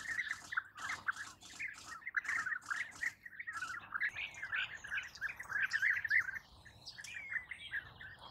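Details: European bee-eaters giving rapid burry trilled calls in a steady stream, while thin high whistled sweeps from another bird join in the second half.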